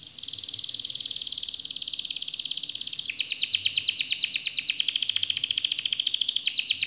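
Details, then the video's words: Singing canary performing long rolling 'gacor' song: a steady, fast buzzy trill held for three seconds, then a louder, higher rapid rattle of repeated notes continuing to the end. "suara kenari gacor ngerol panjang"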